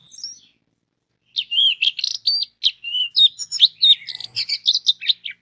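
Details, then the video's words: Orange-headed thrush singing as a lure to set off other orange-headed thrushes: after a brief opening note and a pause, a fast, continuous run of varied chirps, trills and sharp whistled notes follows without break. "DENGAN SUARA ANIS MERAH INI 99% ANIS MERAH AUTO BUNYI DAN SINGSET"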